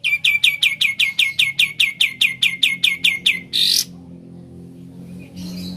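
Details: Sooty-headed bulbul giving ngebren song: a rapid series of about fifteen sharp, upward-flicking notes at a steady pace, ending in a short harsh buzzy burst, then near quiet with a faint rasp.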